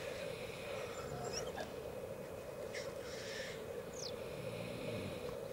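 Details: Black grouse at a lek in Elverum, Norway, 2008, with 38 males in total, keeping up a steady, low, dove-like bubbling chorus broken by a few sharp hissing sneezes.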